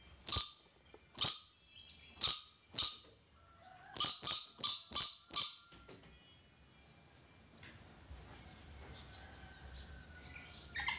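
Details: Harsh, piercing shrieks from a red lory: four spaced screeches, then a faster run of four more, after which the bird falls silent and only faint background rustle remains.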